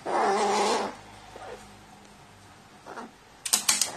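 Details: Indoor crow regressing to chick-like behaviour after being offered water, 29 March 2018: one long nasal, wavering call of nearly a second, then quiet rustles and a few sharp clicks.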